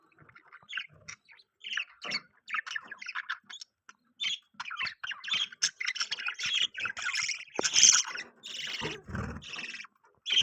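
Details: Pet budgerigars chirping steadily: rapid strings of short, scratchy chirps and warbled squeaks, busy and continuous, with a brief harsh squawk late on.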